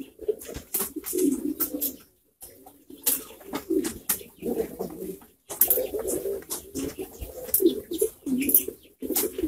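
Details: Many pouter pigeons, a domestic pigeon breed, together: continuous low, rolling, overlapping coos, rising and falling in bursts with short pauses, mixed with sharp clicks, scuffles and faint background voices indoors.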